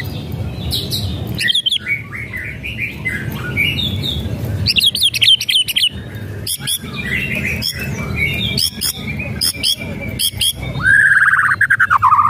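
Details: White-rumped shama whistles and crackling rattles, used to provoke a silent bird: varied warbled phrases mixed with dense buzzy rattle bursts, ending in a long, slurred whistle.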